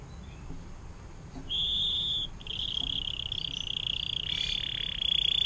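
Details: Atlantic canary giving 'air mancuran' (water fountain) style song as a tutor recording for other songbirds: a short high buzzy roll, a brief pause, then a long sustained rapid trill, with faint background hiss.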